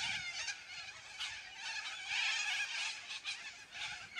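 A noisy flock of yellow-crested cockatoos fills the air with harsh, grating screeches that overlap into a continuous raucous din, surging louder every second or so.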